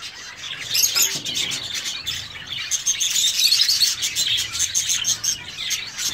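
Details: A busy chorus of zebra finches in an aviary gives short, high, nasal chirps that overlap rapidly, several birds calling at once without a steady rhythm.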